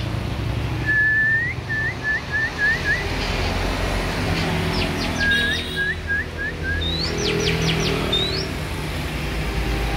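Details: Hand-raised Oriental magpie-robin repeating short upslurred whistles in rapid series of five or six, then a burst of fast sweeping notes and rising whistles, with steady low rumbling background noise throughout.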